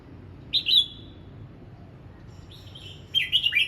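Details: Red-whiskered bulbul practising its voice, giving a brief whistled note, then after a pause a longer flowing phrase of warbled whistles ending in a lively burst.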